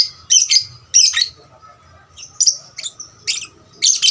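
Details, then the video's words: Lovebird used as a lure to spur other lovebirds into more singing: harsh, high, buzzy chirps in short bursts, some notes drawn out into shrill squeaks, spaced irregularly about every half second. "pancingan lovebird paud rajin bunyi... merangsang lovebird lain lebih gacor"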